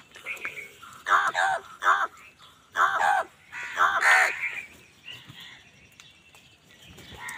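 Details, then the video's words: Amid a food fight with wild birds, an angry crow bursts into eight or so harsh, nasal caws in quick pairs and triplets, then falls quiet as fainter calls continue in the distance. "Crow bird unity anger and sund | Angry kawa ki awaaz"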